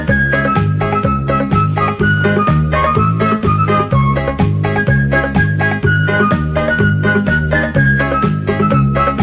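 Loud, upbeat instrumental music with a steady bass beat and organ-like melody, and no animal sounds.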